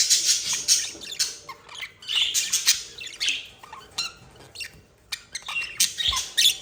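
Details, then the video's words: A loving budgerigar pair chattering: rapid, grating warbles and high chirps in rising and falling bursts, with a brief lull in the middle before lively squawks resume. "the budgie in love"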